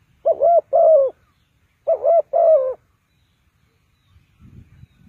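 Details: Spotted dove used as a trapping decoy, Ninh Thuận: two double coos, each a short note then a longer rolling croo, low and mellow, spaced about a second and a half apart, faint low rumble near the end.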